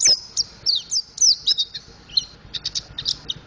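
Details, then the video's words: Mountain white-eye practising ngriwik and ngeplong song: a quick string of high, sweeping whistled notes and chips, dense for about two seconds, then scattered short chirps. "Burung Pleci Montanus Belajar Ngriwik Ngeplong"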